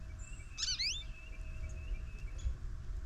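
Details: Goldfinch stopping at a feeder camera one morning after snowfall paused, uttering a single short, rising, rich-toned call with a slight waver, against a faint thin background tone and soft low noise.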